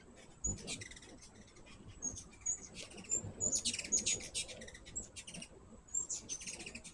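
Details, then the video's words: Lively high-pitched chittering from hummingbirds at a feeder: rapid ticking chips and squeaky twitters building into an excited dense chatter midway, then further short bursts. "My first hummingbird video with natural sound."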